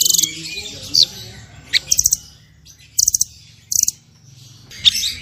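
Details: Blue nuthatch (Sitta azurea), known locally as munguk loreng: short bursts of rapid, high, thin chirping notes, each burst under half a second and separated by quiet gaps, with a faint low hum in the background.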